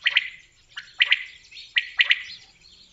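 Common quail giving its liquid three-note 'wet-my-lips' call: a soft first note, then a sharp quick pair, repeated about once a second.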